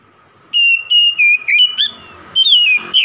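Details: Oriental magpie-robin song used to provoke a rival: long pure whistled notes held steady, repeated in short blocks, followed by slurred rising and falling whistles.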